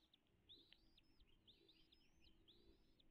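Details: Wild American bald eagle calling at its nest on Dale Hollow Lake, a reservoir on the Kentucky-Tennessee state line, picked up by a nest camera at 09:56 on 05.03.2022; thin, high, arching piped notes in quick runs, faint over low rumble.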